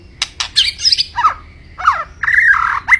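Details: White-rumped shama giving harsh, buzzy, squawking phrases with slurred notes between them, ending in a sustained rasping note.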